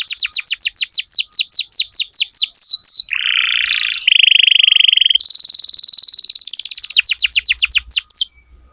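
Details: Atlantic canary song used to tutor young birds: a long run of rapid repeated downslurred chirps, then a low buzzy rattle, a steady mid-pitched trill, a very fast high trill, and more quick chirps to close.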